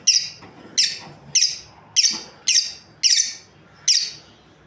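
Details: Lovebirds, a breeding pair, giving a steady series of seven piercing high chirps, each short and harsh, spaced roughly two-thirds of a second apart with little else audible.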